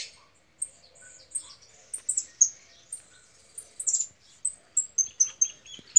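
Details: Angry female European goldfinch giving high, thin twittering chips and short buzzy notes in irregular bursts, some in quick clusters, over near silence.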